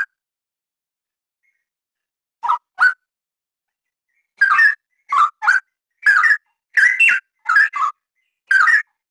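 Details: Straw-headed bulbul (cucak rawa) in steady, dense song, used as a tutor recording for training other birds: rich, loud whistled notes in short bursts, a brief pair and then a quick run of about eight, with a quiet background.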